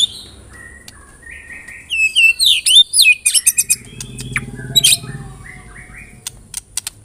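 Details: White-rumped shama song: scattered whistled notes, then a loud burst of complex sweeping and chattering phrases, with a low mechanical hum in the background and sparse sharp notes at the end.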